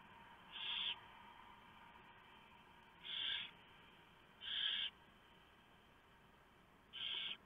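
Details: Barn owl nest in the early morning of 3 November 2015, with the male bringing a large mouse and the female feeding the owlets. Four short, harsh hissing screeches, spaced irregularly every one to three seconds, over a constant background hum.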